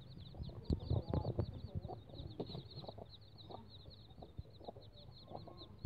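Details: One-day-old Bangkok chicken chicks peeping: a dense, steady stream of short, high, rapidly repeated cheeps, with handling thumps and low background noise.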